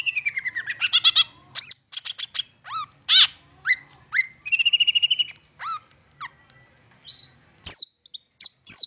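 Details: Long-tailed shrike song meant to coax other shrikes to sing: a drawn-out falling whistle, loud clipped chips, downslurred and rising whistles, and a fast rattling trill, with a faint low hum behind.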